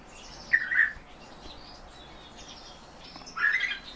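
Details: Just two rolling, burry notes from captive European bee-eaters, one early and one near the end, separated by nearly three seconds of near silence.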